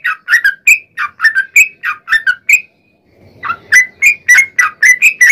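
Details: Sooty-headed bulbul singing a long rapid 'ropel' song meant to lure other bulbuls into answering. Quick chirpy, fluty notes run in close succession, break off for about a second, then resume at the same brisk pace.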